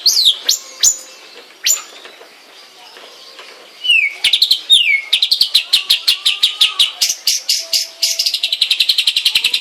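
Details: Long-tailed shrike kept at home, giving scattered down-slurred whistles, then a loud swooping whistle followed by a long, rapid series of sharp high chips.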